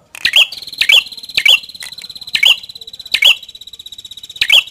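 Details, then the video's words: Prinia called prenjak kepala merah delivers a quick run of six high ringing phrases, sharp chips over a continuous thin buzzy trill, roughly every two-thirds of a second. "Suara Burung | Prenjak Kepala Merah"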